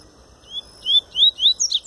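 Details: Pure Tui Tui song style from a double-collared seedeater that is just finishing its molt: a quick series of high whistled notes that slur upward and grow louder, ending in a tight tumbling flourish.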